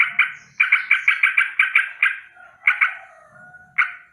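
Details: A sooty-headed bulbul rolls out harsh alarm notes in the morning, a fast burst of rasping pulses followed by separate paired calls and a thin whistle between them.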